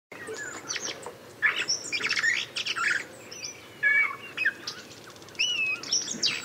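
A common blackbird sings short bursts of fluty whistles mixed with high, squeaky twittering, phrases coming every second or so against a quiet background.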